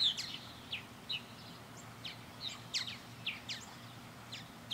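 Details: Purple martins flying around a backyard birdhouse give scattered short chirps and brief twitters, spaced irregularly about every half second, over a quiet background hum.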